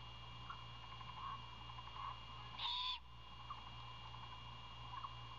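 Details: Young owl calling for dinner from its father, who then brings food; a single short, hissing screech, high-pitched and lasting about a third of a second, stands out over a steady background hum.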